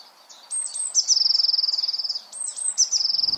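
Eurasian blue tit singing: one or two very high, thin notes, then a fast, silvery, slightly descending trill, given twice. Faint background hiss.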